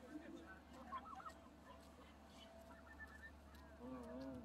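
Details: Canada geese all around the listener at close range give a scatter of nasal, overlapping honks, over a steady low hum and a brief human voice near the end.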